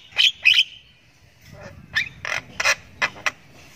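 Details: Young Javan myna chick chirping while learning its voice: a few sharp squeaky notes, then a run of harsh short chirps roughly every third of a second, with faint background noise.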